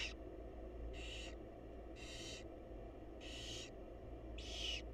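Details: At a research-monitored nest box, wild barn owls during a chick feeding give five broad, airy screeching hisses at roughly one-second intervals, with a persistent low hum underneath.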